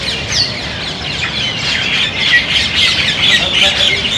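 Common myna chatter: a dense, continuous run of harsh squawks, gurgles and creaky notes overlapping quickly, as if several birds call together.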